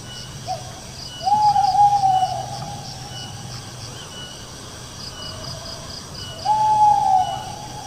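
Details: Owl calling with two long, even, whistled notes, each about a second, separated by several seconds, with insects chirping steadily behind.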